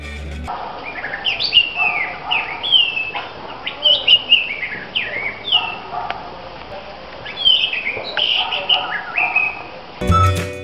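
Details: An orange-headed thrush (Geokichla citrina), a secretive bird of shady, damp wooded areas, in Brief Garden, Beruwala, Sri Lanka, sings clear, varied whistled phrases that slur up and down with short pauses; brief noise bursts at start and end.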